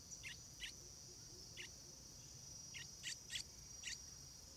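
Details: Young stripe-throated bulbuls about to fledge call in brief, clipped chirps, some doubled, spaced irregularly, against a constant shrill hum of crickets.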